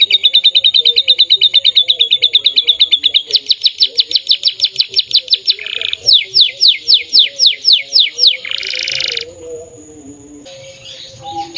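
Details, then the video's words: Canary singing vigorously (gacor): long runs of fast, evenly repeated high chirping trills that change speed and pitch between phrases, then a harsh buzzy burst near the end. Faint low tones run underneath. "burung kenari cantik gacor"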